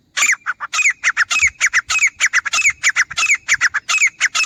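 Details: Grey francolin (teetar) calling for use as a hunting call: a loud, harsh, rapid series of ringing notes, about three per second, each with a sharp up-and-down inflection, continuing without pause.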